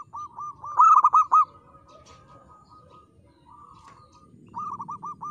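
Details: Zebra dove of a local strain in full song, praised for a crystal-clear voice: one loud burst of rapid rolling coos, then softer trailing cooing phrases, with faint low rumble beneath.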